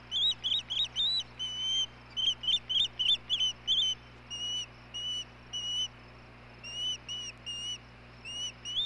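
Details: Osprey on a Hellgate nest camera, May 17, 2016, while the male delivers food to the female. Quick clusters of sharp whistled chirps give way to slower, evenly spaced, upslurred whistles with gaps between, over a faint steady hum.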